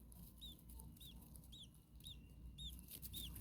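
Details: Common starlings at a hot attic nest holding nestlings, second day, parent nearby: quick arched squeaky notes, roughly two per second, under a broad hiss and low rumble.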